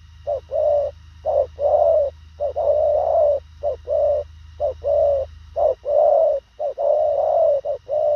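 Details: Spotted dove, Thổ khàng type, cooing at speed in short, concise phrases: repeated low hollow coos, a clipped note then a longer rounded one, with a deep droning hum underneath for most of the clip.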